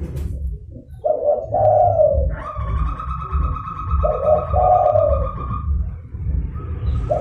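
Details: Zebra dove in energetic calling form, used to lure rival wild or kept doves: low rolling coo bursts, each about a second long, twice over, with a steady high tone held between them and a low rumbling background.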